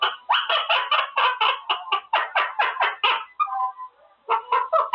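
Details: Male Quaker parrot in his cage practising words, producing a rapid series of loud choppy syllables, roughly two per second, a short softer warble, then a renewed burst of clipped notes.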